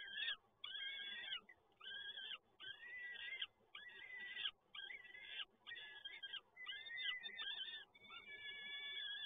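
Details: Peregrine falcon chicks being fed at a nest in Toruń, Poland, on 30 April 2022: harsh, wheezy, rasping squeals repeated almost without pause, each call roughly half a second long with brief gaps, loud and dominant throughout.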